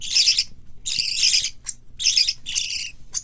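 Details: Pet parakeet chicks of three kinds (white lovebird, cockatiel, budgerigar) raised in Fukuoka, Japan. Loud, hoarse rasping calls come in four quick bursts, with a soft short squeak between two of them.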